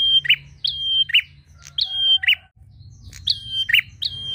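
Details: Prinia calling to a rival, alternating buzzy low chirps and level high whistles in rapid succession, over a steady low hum.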